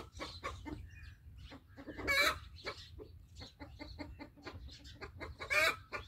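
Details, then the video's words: Rooster making an alert call, a chattering series of clipped clucks with two piercing, raspy squawks standing out, one early and one near the end. "Rooster Alert Call"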